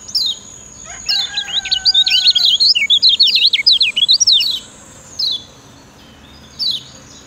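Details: Kecial kuning, the lemon-bellied white-eye of Lombok, in a master recording meant to get lazy birds singing. A dense run of rapid high chirps lasts about three seconds, then two isolated falling notes follow.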